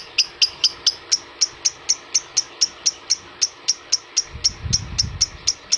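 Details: Adult lovebird sound meant to rouse other lovebirds: shrill, clipped chirps repeating about twice a second at an even pace, with a brief low rumble near the end.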